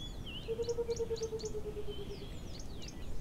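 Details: Burchell's coucal gives a low, hollow, bubbling run of rapid notes that slowly falls in pitch for nearly two seconds, while small birds chirp high above.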